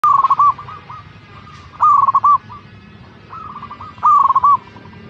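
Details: Zebra dove (perkutut), a local bird singing actively, giving three loud stuttering cooing phrases, each a quick run of rolled notes ending in a drawn-out coo, about every two seconds; fainter similar cooing phrases sound between them.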